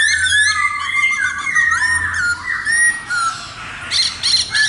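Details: Laughingthrush known locally as khướu mun singing strongly, with clear whistled notes sliding up and down, swooping slurs and a few sharp high chips, ending in short buzzy bursts.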